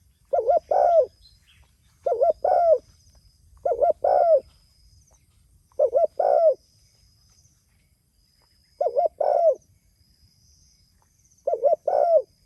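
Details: Spotted dove calling to its companions, giving a series of low hollow coo phrases roughly every two seconds, each two quick notes then a drawn-out falling coo, with a faint high hiss behind.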